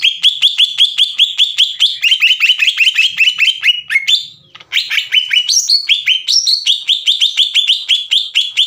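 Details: Green leafbird singing loudly as a lure to provoke rivals: a fast, almost continuous stream of crisp whistled chips, slightly shifting in pitch, broken by one short gap before the rapid run resumes.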